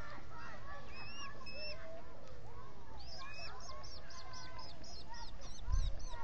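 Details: Osprey at a nest in the Finger Lakes region, US, with three birds at the nest on 19 July 2021, picked up by a solar-powered nest camera; a run of sharp, hooked chirps repeats quickly in the second half over steady background hiss and other faint calls.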